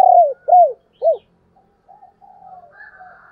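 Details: Female spotted dove in the 'thổ đồng' voice, a call played to attract wild males: three quick arched coos in a row, then soft, faint higher murmuring notes trailing on.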